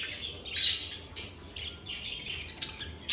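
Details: Soft lovebird chirping recorded in a calm environment: a few brief, high squeaky notes and squawks spaced irregularly, fairly quiet, with a low hum in the background.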